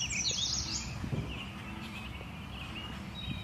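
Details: Canada goose goslings at Lake Champlain, Addison, Vermont, on 25 May 2022 give a burst of thin, high peeps, then softer scattered whistles, over a steady low rumble of wind and water.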